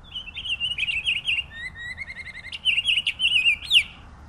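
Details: Pine grosbeak song of continuous sweet warbling. Fluttering whistled phrases are broken by a lower, evenly repeated run of notes midway, then a bright rising flourish near the end. A soft low rumble sits underneath.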